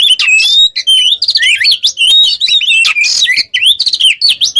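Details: Kacer, Oriental magpie-robin, in animated song for training other birds: clear whistles, down-slurred and zigzag notes and a couple of harsh rasping bursts.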